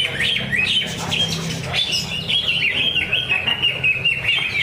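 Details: Caged greater green leafbird at a Thursday practice bird-singing contest at Danau Bumi Restu, Cikunir, Indonesia, pouring out a fast, bright warbling run of whistled and chattering notes over a constant crowd murmur and voices.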